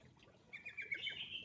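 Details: Lure song of a sooty-headed bulbul meant to stir quiet birds into singing: a quick run of bright chirpy notes that climbs into a sustained higher warble during the final second, over low background hum.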